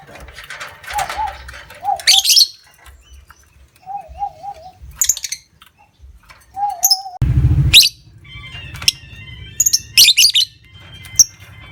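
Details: Lovebird lure recording meant to stimulate other lovebirds to trill long: short bursts of harsh, high chattering alternate with wavering mid-pitched whistled notes, plus a loud low thump near the middle and light background hum.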